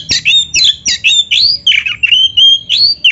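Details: Oriental magpie-robin, a caged bird singing vigorously in a song filled with imitations, used to provoke other magpie-robins into answering. Loud, rapid sequence of sweet whistled notes and harsh squawky slurs, with bright rising and falling phrases repeated about once a second.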